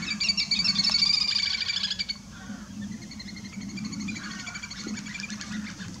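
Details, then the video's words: Little grebes fighting at Sandwich Bay, Kent, UK, give a shrill, rapid whinnying trill for about two seconds, then quieter scattered chatter, over a steady low hum. "Little Grebes fighting"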